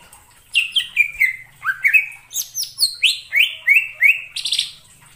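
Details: Wild greater green leafbird in forest, delivering a lively chain of about a dozen slurred whistles that drop in pitch, mixed with sharper chirps and a final buzzy, rasping burst.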